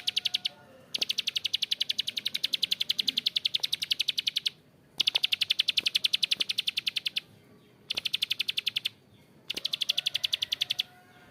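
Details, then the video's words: Bar-winged prinia (prenjak klik or ciblek sawah) in harsh, drawn-out ngebren calling. Long runs of fast, sharp clicks last several seconds each, separated by short silent gaps, with four bursts heard. "PRENJAK KLIK GACOR ‼️Ngebren Panjang suara kasar"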